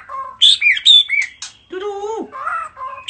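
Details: A bird sings a greeting while shaking its head: high sharp chirps and squeaks first, then lower, harmonic, nasal notes with one falling slur.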